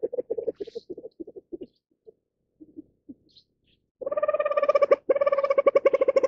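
Reeves's pheasant gives a quick run of low, hoarse clucks, a few scattered notes, then a louder, nasal, harmonic chatter pulsing several times a second.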